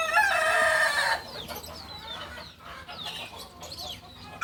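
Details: Kukuak Balenggek rooster, an original bird from Solok, West Sumatra, crowing: a loud harmonic-rich crow held for about a second, then fades into faint scattered chirps and background noise.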